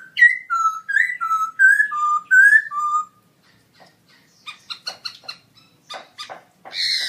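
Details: ['Black-throated laughingthrush in a cage at an October 2016 birdsong contest, a gold award winner, singing very loud: a run of rich, slurred whistles alternating rising and falling, then quieter sharp chipping notes after a short pause.']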